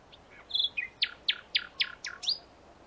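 Common nightingale phrase: a few high whistled notes, then six loud, rich notes repeated about four times a second, ending on an upward flourish. Faint background hiss.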